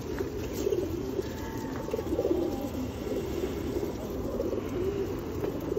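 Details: Flock of feral pigeons fed at Osu Kannon in rainy weather, 2021; a continuous murmur of overlapping low coos from several birds runs throughout, against rain patter and faint distant voices.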